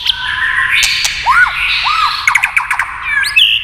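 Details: White-rumped shama singing, prompted by tail-tapping sounds: sharp clicks, then arched whistled notes and a rising, buzzy phrase at the end.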